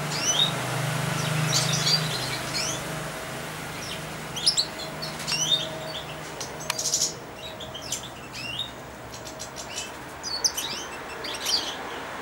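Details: Four-month-old European goldfinch in a cage, perched at a feeding hand, giving soft subsong: irregular, thin, upslurred chirps and short twittery phrases spread across the recording, with a low hum at the start.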